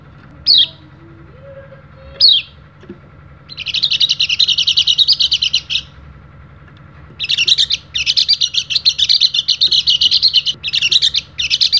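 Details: Oriental white-eye from Bali calling rivals for training other birds: two descending whistles open, then two long fast chattering runs of high chirps separated by a pause; faint low hum in background.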